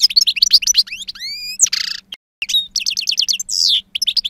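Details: A two-year-old European goldfinch with a powerful timbre delivers its wild-style song: fast twittering, a series of clear rising whistles, a harsh buzzy note, then quick rhythmic chips and another rasp.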